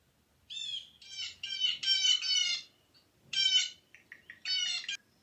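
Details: Blue Jay in winter at Sutton, Québec, gives harsh, nasal jay calls in quick bursts, about six over five seconds, loud and raspy with no other sounds around.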